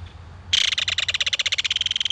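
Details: Loud, rapid clattering rattle at a belted kingfisher nest in a mud bank as an adult brings fish to its baby, notes repeated steadily several times a second for well over a second.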